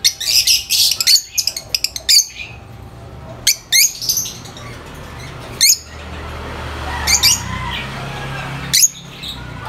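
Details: Lovebirds, described as very vocal and noisy, making loud high-pitched chirps and harsh squawks in quick clusters, with short pauses between bursts and a faint low hum behind.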